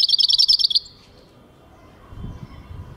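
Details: European goldfinch with a brief, fast, evenly pulsed high trill lasting under a second, then near silence with low rumble.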